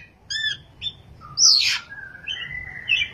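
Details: Oriental magpie-robin singing in ngerol and nembak style: a few short pure whistled notes, then a loud sharp high-pitched burst sweeping downward, followed by drawn-out whistles that waver and rise.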